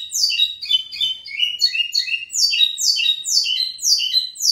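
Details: Pico plat, the lined seedeater, in full song: continuous rapid series of high, steeply falling whistled notes mixed with buzzy trilled phrases, loud and sustained throughout.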